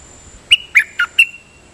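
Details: Dok taeng bird singing decoy song (siang to). One crisp phrase of four whistled notes, evenly spaced about a quarter second apart, each ending in a short level tone, over soft background hiss.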